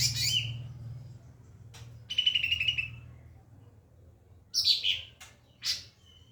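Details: White-rumped shama singing masteran phrases meant to train other birds: loud high notes sliding downward, a buzzy trilled phrase, then two separated sharp descending calls, with a low hum beneath.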